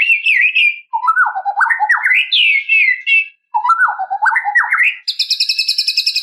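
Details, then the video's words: Song of a white-rumped shama aimed at provoking a rival: stepped, zigzagging whistled phrases climbing and falling, repeated twice, then a rapid high buzzy trill. "KICAUAN SUARA MURAI INI MEMANGGIL LAWAN"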